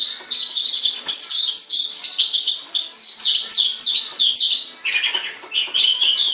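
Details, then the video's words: Tame white-rumped shama singing outside its cage: strong, rapid repeated whistled notes forming rhythmic runs, then looser sweeping phrases, loud and nearly continuous. "Suara burung sanma gacor diluar sangkar"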